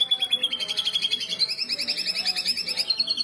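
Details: Canary singing to train young canaries; continuous rapid rolling trill of stacked chirps, rising slightly in pitch midway and held steady.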